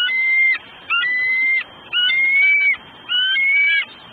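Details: Bald eagle female calling from her Southwest Florida nest, December afternoon, hollering for a while before her mate delivers food. Longer sustained, level whistled notes, each half a second to nearly a second, in four evenly spaced bouts.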